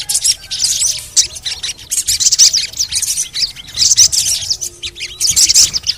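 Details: Sogon, the little spiderhunter, giving a stream of high, scratchy chirps in tight clusters about a second apart, over faint lower whistles.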